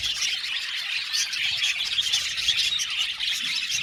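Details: Colony of Australian budgerigars in an aviary, many birds chirping together in a dense, continuous chatter of high, scratchy warbles and squeaks with no pauses.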